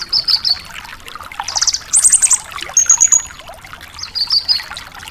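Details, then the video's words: Javan bush lark in energetic song for training caged birds: a buzzy high phrase, then rapid trills and a thin rattling whistle, ending in another buzzy burst, with soft ticking notes throughout. "Masteran Suara Burung BRANJANGAN GACOR DOR | Untuk Branjangan Bahan di Jamin Langsung Respon"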